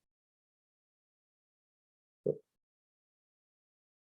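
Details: Near silence broken by a single brief, low thud lasting a fraction of a second.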